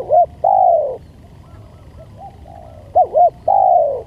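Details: Spotted dove cooing as a lure: the tail of one phrase, a pause with soft faint notes, then a complete phrase of a double coo and a long, smoothly falling coo.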